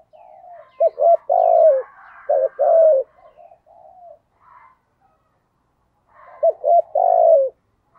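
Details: Spotted dove cooing in the 'giọng thổ' style, calling to lure wild doves. Phrases of two short, hoarse notes followed by one longer, throaty coo are repeated three times. Softer mumbled notes fill the gaps, and there is silence in between.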